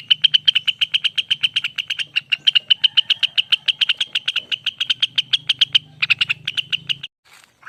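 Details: Lesser green leafbird (Rengganis) in a long ropel song: a long rapid rattle of bright repeated notes, a short pause, a final quick burst, then near silence, with a faint low hum beneath.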